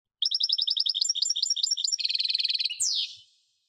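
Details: European goldfinch gives a lively string of chirpy doubled notes that speeds into a steady trill and ends with a drawn-out, rasping, descending buzz.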